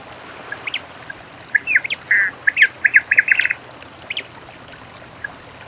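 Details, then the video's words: Many-colored rush tyrant singing in nature: a short run of about ten quick, clipped notes repeated in a fast even series, with scattered sharp ticks before and after against a soft hiss. "AVE PAPA PIRI CANTANDO NA NATUREZA"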